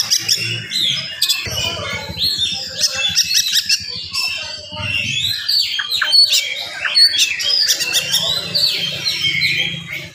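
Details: Oriental magpie-robin singing rapidly in the morning to stir up rival magpie-robins: crowded high chirps, squawky notes and whistled sweeps, with bursts of low rumbling noise.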